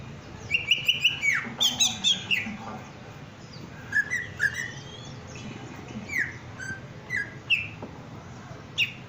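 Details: Greater green leafbird in breeding condition, singing a lively series of clear whistled notes, slurred and rising phrases around a high pitch with brief chattery bursts between them, over a steady low background hum.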